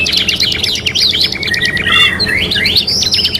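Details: Canary from a 3-in-1 master recording for training, kenari gacor: quick chattering trills leading into rising swooping whistles and a final burst of fast notes.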